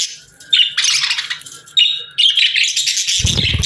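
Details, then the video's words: Playful budgie chirps: a few sharp notes, then a dense, buzzy warbling chatter, ending with a low rumbling thud. "Budgies Chirping Sounds"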